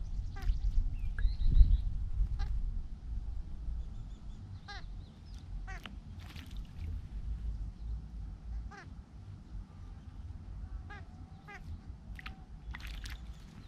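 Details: Large grey babblers calling while bathing: harsh, short, rasping notes given in irregular bursts by several birds, loudest early on, with low rumbling background noise throughout.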